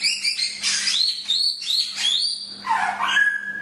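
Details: Song of a Chinese hwamei for training other birds: high, clear whistled notes and upward-sweeping slurs, then a lower descending warble near the end, over a constant faint hum.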